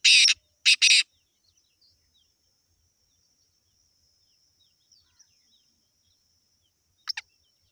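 Black francolin giving harsh, rasping grating notes, two loud bursts together then a brief pair after a pause, over a thin, steady high whine.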